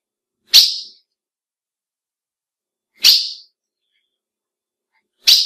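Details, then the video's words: Female ultramarine grosbeak giving a call that stirs up males: three sharp, hissy chips spaced roughly two and a half seconds apart, each falling quickly and fading. No other sound. "PIADO DE AZULÃO FÊMEO Para Esquenta qualquer Azulão!"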